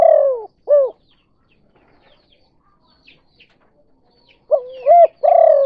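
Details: Spotted dove kuk 2 lure call used for trapping doves. A falling buzzy coo and an arched note come first. After a quiet gap with faint chirps, a new phrase starts with rising linked coos and a long buzzy coo.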